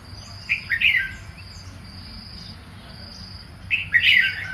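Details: Two quick, chattering whistled phrases from a red-whiskered bulbul about three seconds apart, set against a constant high-pitched insect hum.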